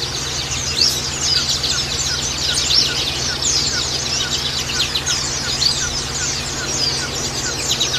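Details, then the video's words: Chattering white-eyes used as a lure call high, fast and overlapping. A lower, short descending note repeats about twice a second in the background, and a steady hum runs throughout. "Burung pancingan pleci"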